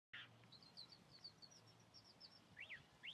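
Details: Chalk-browed mockingbird singing: a brief run of thin, high rising-and-falling whistled notes, ending with two sharp inverted-V chirps, against a faint low background hum.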